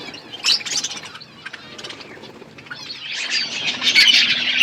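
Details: Budgerigars at their food, scattered high chirps at first, building toward the end into loud, dense, excited twittering chatter from a group of birds.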